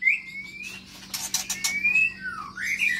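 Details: White-rumped shama, a caged Medan bird with a long tail, singing in an aviary: long rising whistled notes near the start and middle, a swooping whistle toward the end, and a burst of harsh broadband clicks in between.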